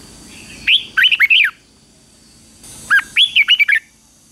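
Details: Red-whiskered bulbul in morning song training, singing in the fighting style: two quick phrases of five or six loud, sweet whistled notes, rising and falling, separated by about a second and a half of quiet with faint low hum.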